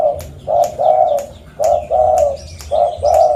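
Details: Zebra dove of a local strain, recorded in Pidie, Aceh, Indonesia, used as a lure for other birds. It gives soft, vibrating coos in quick runs of two or three phrases, with short gaps between the runs.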